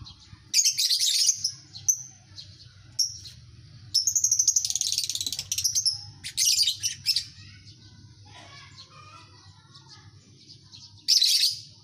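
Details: Colony of lovebirds chattering: repeated bursts of shrill, scratchy high chirps and rapid pulsed trills, with one long rattling run in the middle, short squeaks between, and a final loud burst after a quieter pause.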